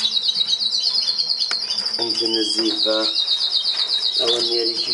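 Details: Melanin canary singing a continuous high rolling trill that holds a steady pitch and drops slightly near the end, with fast repeated notes throughout. Low harmonic voice-like sounds come and go underneath.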